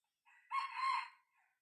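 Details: Red junglefowl crowing: a young six-month-old decoy cockerel tested as a lure for wild junglefowl. A soft short opening note leads into a loud, drawn-out, harmonic-rich crow, then a faint brief trailing note. The background is quiet.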